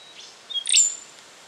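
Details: Rufous songlark from Victoria, Australia, recorded September 2011, giving one loud, ringing, high phrase: a brief thin whistle leading into an explosive bright chirp with a downward sweep.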